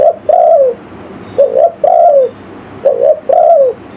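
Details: Spotted dove lure call in the village style, meant to draw in wild forest birds: mellow low cooing, a falling note followed by two full phrases of a brief doubled coo and a longer sliding croo.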